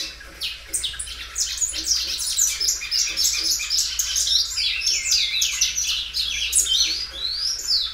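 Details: Belgian canary singing loudly, a well-kept bird that stretches its song several times; continuous high, rapid chirping and trilled phrases run throughout, with quick repeated notes and sweeping whistles.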